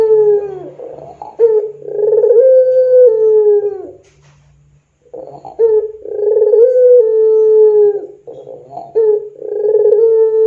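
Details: Puter pelung dove cooing as a lure for training other doves: two rounds of rough gurgled notes, each ending in a drawn-out falling hollow coo, with a pause of about a second between them and a third round starting.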